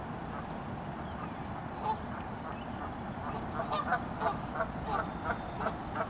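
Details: A flock of geese honking, the calls quiet at first and then growing louder and quicker, coming about three times a second in an uneven run, against constant low-pitched background noise.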